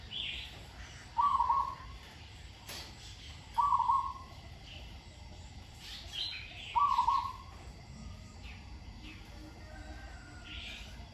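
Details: Zebra dove being trained, singing with good verse flow: three short, trilled coo phrases spaced about two to three seconds apart, with faint distant chirps from other birds between them.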